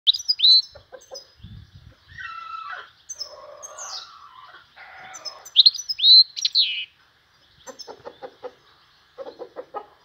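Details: European goldfinch known as vanlı melik singing in spring: bright twittered notes and quick upward-sweeping whistles in bursts, with lower chattering phrases between them and short pauses.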